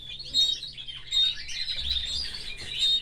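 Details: Caged pet canary with its family, giving quick high chirps and clear whistled notes in short bursts over about three seconds.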